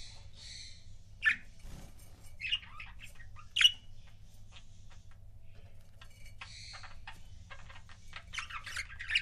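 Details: Pet budgerigar couples calling with scattered sharp squawky chirps and short buzzy warbles, irregularly spaced, ending in a denser chattering burst.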